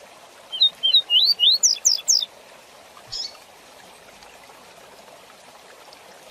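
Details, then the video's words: Quick 'tui tui zel zel' song of a rusty-collared seedeater used for training young birds: short rising whistles accelerating into sharp falling notes, then one soft chip and quiet background hiss. "Canto Tui Tui Zel Zel Rápido Para Encarte de Coleiros e Papacapim"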